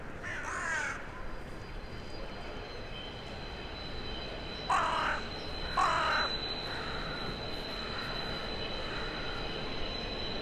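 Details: Evening calls of a town-centre crow answering others flying in for the night in January: a single caw, then two harsh caws close together about five seconds later, over a steady urban drone and faint whine.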